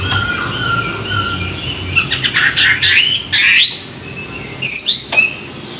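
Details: Morning training song of a Chinese hwamei, used to stir up wild-caught birds: steady whistled notes give way to loud, tumbling slurred phrases with sharp upsweeps, ending in a few high rising notes.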